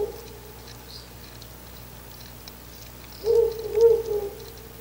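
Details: Ural owl (Strix uralensis) at a nest box on 10 August 2019, before dawn around 4:20–4:30, giving a low, soft, wavering hoot close by, about a second and a half, over quiet night hiss.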